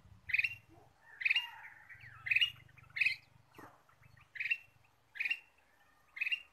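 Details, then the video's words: Ruby-throated bulbul calling as a lure: a steady series of eight loud, rasping chirps roughly one every 0.7 to 1 second, with some softer twittering between them and faint low hum. "PIKAT KUTILANG EMAS GACOR"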